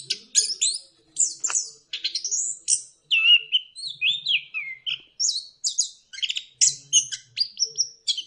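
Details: Orange-headed thrush (punglor kembang) delivering a lure song to encourage other birds to sing: a continuous varied stream of high sweeping whistles, chirps and falling slurs with barely any gaps.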